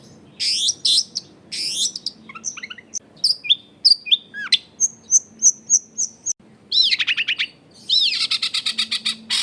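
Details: Varied long-tailed shrike song played as a lure for other shrikes, recorded at home among dense housing: loud rasping bursts, thin high whistles, a quick string of ticking notes, then rapid arched trills, with a soft hum underneath.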